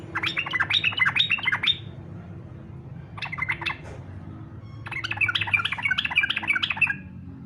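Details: Fighter-style song of a yellow-vented bulbul, played to coax other bulbuls into singing: three rapid runs of gurgling, warbled notes, a long opening phrase, a short middle one and a final extended burst.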